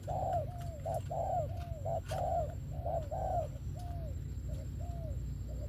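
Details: Spotted dove singing a thổ-style song praised for its voice: soft throaty coos, short notes leading into longer falling ones, fading toward the end, with faint clicks and a low hum.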